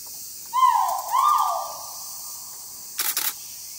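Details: Great argus in its habitat at Thung Chali, Phang Nga, recorded 13 March 2019: two loud, hoarse, mellow notes, the second longer, rising then sliding down, followed by a quick burst of camera shutter clicks.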